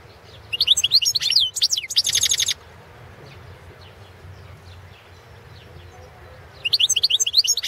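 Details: Balkan goldfinch, carduelis balcanica, singing in a 2017 championship entry; sparkling twitters and a harsh, buzzing trilled segment, then a quiet stretch before rapid chirped notes resume.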